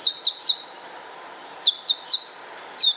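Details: Northern Mockingbird singing in Concord, North Carolina, United States, 07-06-2016: high, sharp chirping phrases, each a quick run of repeated notes, given three times about every second and a half over faint background hiss.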